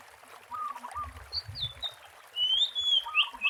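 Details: Oriental magpie-robin singing in the wild, a recording used to lure birds: short whistled notes, then a longer, bright, clear whistle ending in a twist. A lower warbling bird and a soft low thump are also heard.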